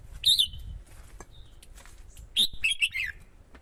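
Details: Red-whiskered bulbul male, stirred by a female to sing in competition and lure wild birds, gives a short bright note, then after a pause a rapid warbled phrase of several descending notes over a low rumbling background.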